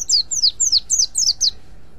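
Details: Mountain white-eye ngriwik call for luring other white-eyes: six clean, high, whistled notes, each sliding steeply downward, delivered evenly about every third of a second over a quiet background.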